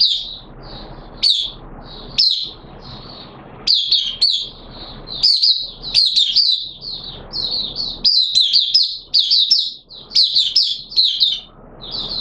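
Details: Caged hobby oriental white-eye in wet weather performing 'buka sing' song: long, almost continuous high twittering and warbling, with sharp chip notes between phrases and faint background hiss.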